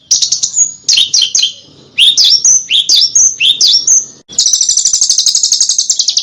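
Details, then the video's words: Master recording of a small bird for tutoring contest cage birds, with sharp, punchy phrases: clusters of quick high sweeping notes and short pauses, ending in a long, even, rapid high trill. "Suara BURUNG KECIL !!! MASTERAN BURUNG KECIL TEMBAKAN TAJAM DAN SUPER PEDAS"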